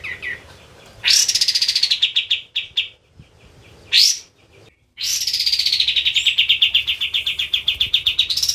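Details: Kapas tembak white-eye in full, active song for tutoring: sharp rising notes leading into long, fast, bright trills of rapidly repeated chirps, one running unbroken for more than three seconds.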